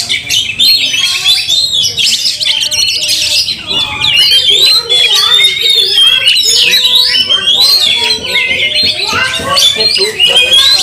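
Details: Oriental magpie-robin in a heated fight display, tail opened, inciting rival magpie-robins; dense torrent of whistles, squeaky notes and rattling trills, with steady lower tonal whistles in the background.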